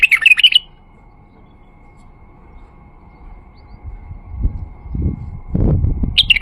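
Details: Male White-eared Bulbul singing to prompt silent bulbuls and attract birds: a brisk warbled phrase opens, then quiet, then low thumping and rumbling handling noise before another burst of song begins at the end.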